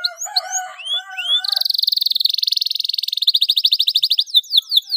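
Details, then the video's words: Canary singing loudly to trigger song in young canaries: varied whistles over lower chattering notes, then a long loud buzzing trill that ends in rapid sweeping notes. "CUITAN KENARI 7 !! KENARI GACOR DOR PANCINGAN JITU KENARI BAHAN"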